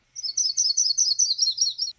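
Yellow-rumped Warbler of the Myrtle form: a slow, high warble of about a dozen separate, full notes over two seconds, dropping slightly at the end.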